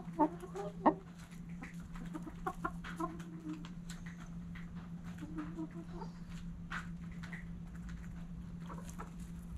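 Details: Backyard hens at morning sunrise give short, low clucks, two louder ones early on and then softer scattered clucking over a steady electrical hum, with rustling and light tapping in between.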